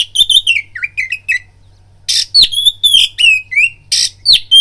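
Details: Oriental magpie-robin song used as a lure to arouse fighting mood in other magpie-robins: rich varied whistles, slurred downward notes and harsh buzzy bursts in quick succession, a brief pause midway, faint low hum beneath.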